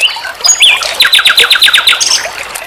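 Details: Nightingale song for tutoring songbirds: a few whistles and a rising note, then a quick series of about ten identical sharp repeated notes, ending in a brief high phrase.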